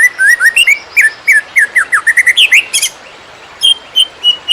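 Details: Greater green leafbird in "konslet" style song meant as training material for field birds: a chattering string of short slurred rising and falling whistles, a sharp burst, a pause, then spaced high notes.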